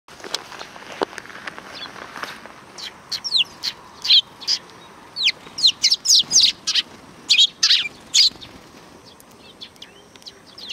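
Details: Sparrows greeting visitors at a Tenmangu shrine, recorded 13 July 2020: a scatter of short, sharp high chirps at irregular intervals, clustered in the second half, over faint background noise.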